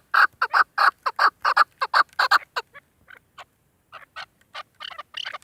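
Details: Loud, fast run of raspy chuck notes from a female chukar partridge used for hunting, repeated nearly three per second, then breaking off into softer, scattered notes before a few final calls.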